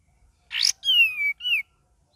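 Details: Cream-vented bulbul, persistent varied singer: a harsh buzzy burst, then a long clear whistle sliding downward and a shorter arched whistle, over faint low background noise.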